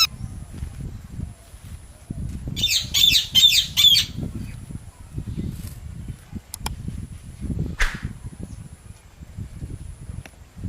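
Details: From a group of three parrots calling on branches: one short run of four rapid, rasping squawks, then mostly low rumbling background noise with a few faint clicks and a brief rustle.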